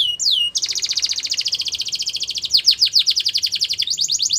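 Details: Gloster canary in training song, pouring out a long rapid trill of repeated high notes at roughly ten per second, shifting midway into sharper descending chips, with no other sounds.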